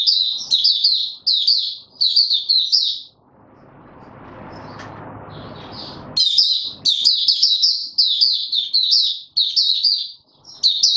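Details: Caged white-eye trained for form, 31 December 2021: bright, high chittering runs at the start and end, with a three-second lull of low rumbling noise in the middle.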